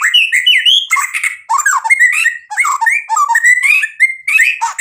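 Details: White-rumped shama in energetic, mimicry-rich song: rapid, varied phrases of sweeping whistles, harsh squawky notes and twittered trills, delivered in bursts with only brief breaks between them.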